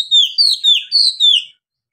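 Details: Oriental magpie-robin singing ngeplong song in Indonesia: five clear, high whistled notes, each dropping in pitch, spaced about a quarter second apart, then silence.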